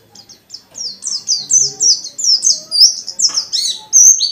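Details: Singing white-eye used to draw other white-eyes into song; a continuous, accelerating string of thin, high descending chirps that grows louder and ends in a few sharper upturned notes.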